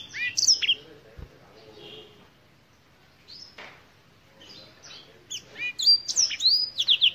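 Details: Black-throated canary, originally African, with scattered soft chirps and a short low thump, building to a loud run of high sweeping whistled notes at the end.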